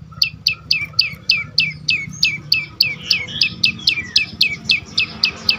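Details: Prenjak lumut prinia song used as a lure for other birds: quick regular series of thin high downslurred chirps, several per second, with a steady low hum underneath.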